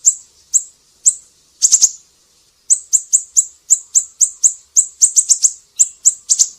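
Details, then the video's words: Siri-siri song used to tutor cage birds such as leafbirds, shamas and magpie-robins: high, piercing chips, a fast triple burst, a short pause, then a brisk run of single and paired notes. "Masteran burung siri-siri GACOR"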